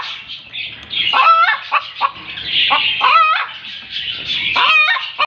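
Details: Egg-laying hen cackling: three loud, nasal squawks about two seconds apart, each followed by quick clucks, with softer grating chatter filling the gaps.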